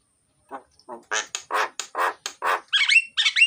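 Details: Chatty, loud myna (jalak) singing, recorded to prompt lazy mynas to sing: soft rasps building into a rhythmic series of harsh buzzy notes, then tangled whistled phrases with rising slurs.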